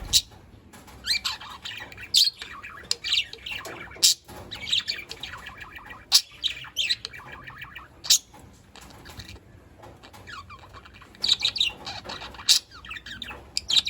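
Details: A flock of budgerigars in an outdoor aviary chattering with rapid warbles, squeaky chirps and sharp squawks.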